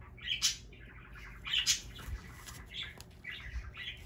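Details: Green-cheeked conure kept as a pet in Aichi, Japan, screaming during play: several harsh, grating squawks about a second apart, the loudest at the start and middle, with low thumps of handling beneath.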